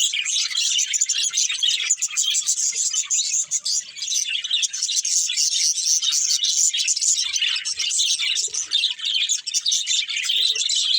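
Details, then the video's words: Several pet budgies playing together keep up a steady, high, crowded chatter of rapid chirps, squeaks and warbled trills, unbroken for the whole stretch with only small dips in loudness. "Cute Budgies Chirping Sounds"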